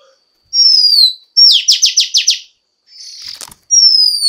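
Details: A female Oriental magpie-robin sings to urge males into song: a long falling whistle, then a fast trill of five or six sharp repeated notes, a brief rasp, and another clear descending whistle.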